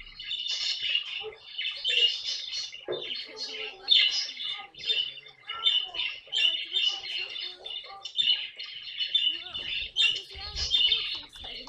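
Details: Long string of grating, buzzy chatter from a pet caique parrot, dozens of rapid short squawks with barely a break, delivered during funny everyday moments.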